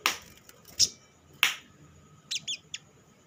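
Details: Sunbird, known locally as sogok ontong, calling as a lure to stimulate other sunbirds into song: loud high clicks and chips, then a quick run of three thin, swooping, twittering notes near the end.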